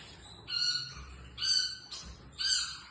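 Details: Female Pacific parrotlet kept as a pet, calling in short, bright, squeaky chirps with clear tonal overtones, four bursts spaced about half a second to a second apart.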